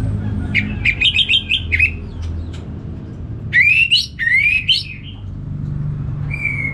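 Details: Orange-headed thrush, a kept songbird, in loud full song. It gives a burst of quick, clipped chirps near the start, then rising, slurred whistled phrases midway, with a low steady background hum.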